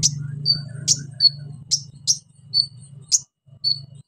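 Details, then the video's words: Orange-headed thrush in full, active song, loud 'shooting' delivery with mimicked fillers, used as a lure to get silent birds singing: short high sharp chirps and brief whistles repeated irregularly over a steady low electrical hum. "KONIN GACOR NEMBAK ISIAN PANCINGAN KONIN MACET BUNYI"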